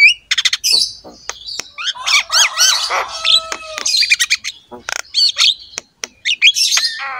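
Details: Energetic Javan myna (jalak kebo) song for tutoring other mynas: rapid clicking trills, wavering warbled whistles, one long steady whistle, and loud harsh squawks, in a varied chattering sequence.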